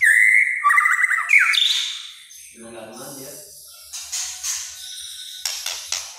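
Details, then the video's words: White-rumped shama in active song in the kretekan style, said to provoke other shamas: loud whistled phrases with fast rattling trills in the first two seconds, then a lull with low voices and scattered sharp clicks and chips. "KRETEKAN MURAI BATU GACOR. BIKIN MURAI LAIN EMOSI.."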